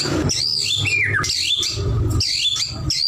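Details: Sweeping slurred whistles of a white-rumped shama, gliding down then up through high and mid pitch in a few quick phrases, with a strong low hum underneath.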